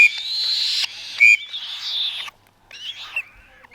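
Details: A 35-day-old captive black-shouldered kite chick being fed gives thin, wheezy, high-pitched whistles in drawn-out bursts, broken by short pauses and a few sharper squeaks.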